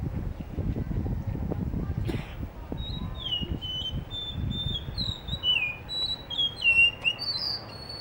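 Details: Blue whistling thrush singing in Hunza in front of a guesthouse under construction; after low thumping noise and a sharp click, a lively series of high whistled notes, falling and slurring, fills the second half.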